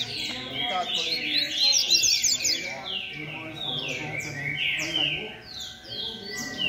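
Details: Rusty-collared seedeater, 'beco' style, competing in a noisy contest: dense run of bright chirps and downslurred whistles, notes tumbling quickly, other birds overlapping throughout.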